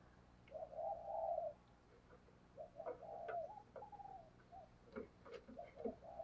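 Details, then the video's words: Spotted dove kept as a decoy bird, cooing eagerly and often to provoke wild doves. A long, low, mellow coo comes first, then a run of shorter throaty coos in broken phrases with a few faint clicks. "Chim Cu Mồi Gù Thúc Bổi Nghe Hăng Nên Và Rất Siêng Gáy"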